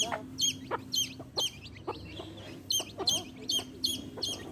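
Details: Baby chicks kept with their mother hen give repeated shrill, falling peeps in small bursts, with brief gaps and faint low background noise.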